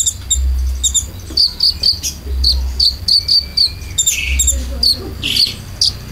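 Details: Konin filler song played as a lure for caged birds: repeated short high ticking chirps in even runs, with occasional buzzy bursts, above a droning low hum.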